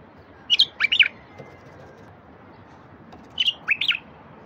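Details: Bulbul song played to prompt silent wild bulbuls to sing: two short phrases of three or four liquid, warbled notes, each under a second, about three seconds apart, over a steady low hiss.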